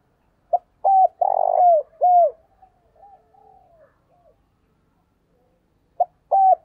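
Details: Spotted dove coo phrase used to lure wild birds: brief opening note, a short coo, a drawn-out rough coo and a falling coo, followed by faint soft notes, a pause, then the phrase starting again.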